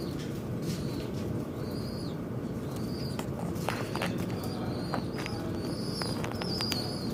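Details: Birds fighting at a window, described as noisy: thin high chirps, each a brief slurred whistle, come every second or so. Sharp clicks and taps mix in over a steady low rumble.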